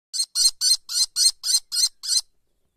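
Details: Kestrel chicks a few weeks old, still in white down in their nest and not yet able to fly, give eight harsh, rasping screeches in quick succession, about four per second, each high and scratchy; no other sounds.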